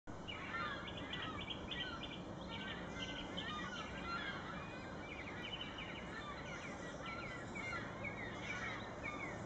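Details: Gulls gathering overhead on a March 2017 morning at Thorntree to ride the thermals; a continuous racket of many short, overlapping calls from the flock, scattered and unceasing, over a steady background hiss of environmental noise.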